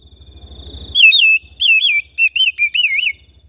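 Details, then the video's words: Oriental magpie-robin kept at home, singing a run of loud, wavering whistled phrases in four quick bursts with brief gaps, after a thin steady whistle tone and soft low rhythmic thumping in the opening second. "Terapi Burung Kacer Rumahan"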